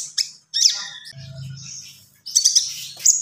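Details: Common iora in gacor song: a few sharp high chirps, a drawn-out thin whistled note, a short pause, then a quick cluster of bright chirps and a final clear note.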